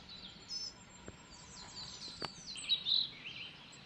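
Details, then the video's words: Coal tit (Periparus ater) giving thin, high-pitched calls in short bursts, with a few faint chirps from other small birds and soft background noise. "Sýkora uhelníček (Periparus ater)"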